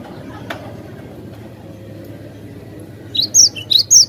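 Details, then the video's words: Cinereous tit (glatik batu) in full song for a cage-bird training recording: a faint tick, then quiet, then four loud, clear upslurred whistles in quick succession. "Masteran Glatik batu gacor suara jernih durasi panjang"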